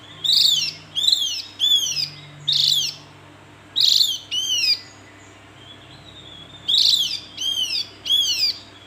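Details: Javan white-eye repeating high, thin, down-sweeping chirps in loose bursts of two or three notes, with a short pause midway, clear over a quiet background.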